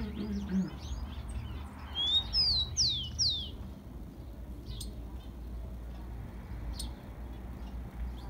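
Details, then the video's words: Tico-tico, or Rufous-collared sparrow, song meant for warming up a kept bird. Bright descending whistled notes come midway and follow a short rising whistle, with scattered faint chirps and steady low background noise. "CANTO DO TICO TICO"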